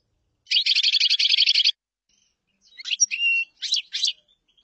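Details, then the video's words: Common chaffinch song: a rapid, even trill of about a dozen high notes lasting just over a second, a pause, then a few sharper separate notes ending in a short flourish. "تغريد تبلاط"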